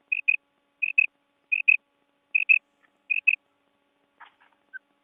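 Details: Female quail, called bedana, giving clear doubled notes, each a short high clipped pair, repeated five times about every three quarters of a second, followed by a few faint chirps near the end against a silent background.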